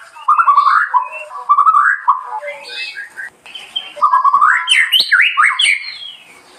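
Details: From the Balinese countryside, a white-rumped shama delivers two bursts of fluty, warbling phrases separated by a brief pause, the second climbing to higher, sharper notes.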